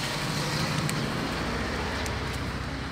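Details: Dense, even roar of road traffic and engine noise with no animal voices.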